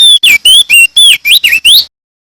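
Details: Loud, clear song of a male crested white-eye from NTT, Indonesia: eight rapid high whistled notes, each swooping or rising, delivered in under two seconds, then silence.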